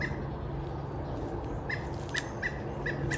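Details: Backyard Pileated Woodpecker calling while it forages in bushes, phone recording, talking with a nearby mate rather than giving the typical loud call. Brief nasal squawks repeat, one early, then five in quick succession in the last second and a half, with a low hum throughout.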